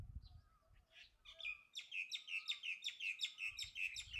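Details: Bulbul song: a rapid series of bright, slurred chirps repeated about three times a second, each dipping in pitch, with a faint low whistle and soft low rumbles behind.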